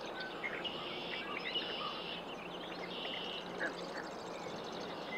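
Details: Common gallinule in Canada giving harsh, nasal squawks and clucks in short bursts, with high chattering from other birds and a steady wash of background noise.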